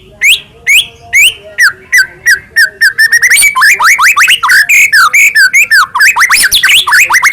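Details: White-rumped shama singing as a lure for captive birds: clear rising whistles at first, then a rapid varied run of slurred and chattering notes.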